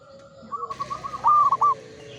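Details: Old local zebra dove singing. A soft run of quick cooing notes builds into a brief, loud, stuttering coo phrase near the end.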